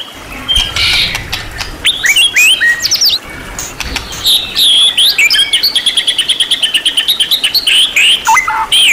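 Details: White-rumped shama in a rich, champion-class tutor recording: varied high whistles and chips at first, then a fast run of evenly repeated sharp notes, nearly three per second, ending in a descending slur.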